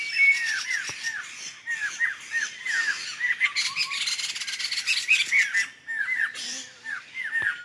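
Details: Laughingthrushes in a wild flock, Sumatran forest: choppy bursts of squawky, descending chirps from several birds at once, rising and falling in loudness with short pauses between groups.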